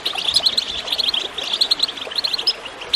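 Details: Goldfinch chirping recorded with gurgling water to encourage birds to sing. Quick clusters of tinkling high notes come in short runs, with a slight lull after one second.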